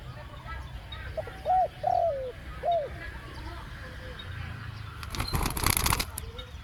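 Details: Spotted dove used to lure wild doves, two-word 'khu-ang' style: three soft two-part coos early on. Later a sudden loud rustling, crackling burst covers everything, then a faint coo.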